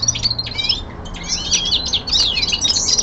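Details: Brief burst of winter descant from a young male linnet kept at home: tangled high twittering with fast rising and falling whistled slurs, packed tightly together.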